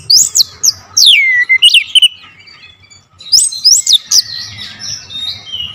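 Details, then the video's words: Lure recording of an oriental magpie-robin: two loud groups of steeply falling whistles and sharp notes, separated by a near-silent gap, ending in a softer warble over a low hum. "PANCINGAN KACER POWER JELAS TEMBAKAN PEDAS"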